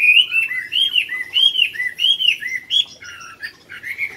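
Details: Chinese hwamei in a cage at a singing contest in My Dinh, Vietnam, on July 19, 2020, final round: loud clear whistled notes, each arching up then down, repeated in a rolling series about every half second, then softer varied warbles.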